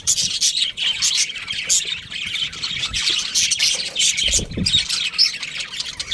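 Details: Pet budgerigar giving steady high chirps and chattering twitters. The sound is busy and unbroken throughout, with a brief low thump near the end.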